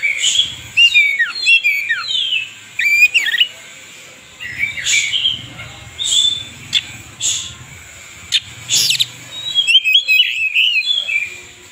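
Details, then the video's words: Oriental magpie-robin singing vigorously, its tail spread: tumbling falling whistles, scratchy buzzes and sharp clicks in an irregular stream, with a steady high background hum. "kacer gacor buka ekor"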